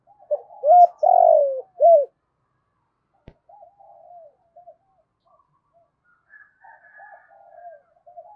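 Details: Spotted dove kept as a decoy, calling to attract wild birds: one loud phrase of short hoots around a drawn-out descending coo. A sharp click follows, then faint, softer coos from a more distant dove.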